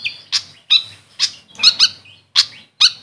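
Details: Grey fantail, known locally as Maria Capra, giving single sharp high chips repeated about every half second, some doubled, with slight echo.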